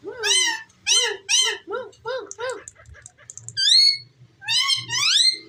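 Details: Pet ringneck parrot, a talking bird in a small room, gives a rapid series of arched, harmonic-rich notes, about six in a row, then soft clicks and two rising squawky calls.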